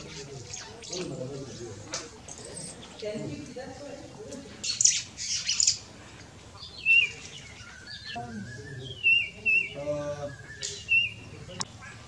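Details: A Marico Sunbird foraging in Bougainvillea bushes and flowers at Samburu gives thin, high chirps and quick twittering notes in short scattered bursts, with murmuring voices low in the background.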